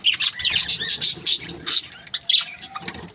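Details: Budgerigars from an Australian breeding pair, described as happy, chirping in rapid high notes and short squeaky warbles, tapering to sparse calls near the end.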